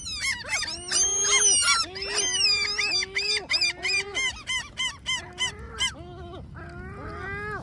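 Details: Great black-backed gulls giving complaining calls: a fast run of loud, harsh, harmonic squawking notes, about three per second, slowing and growing fainter toward the end, with a few higher cries mixed in.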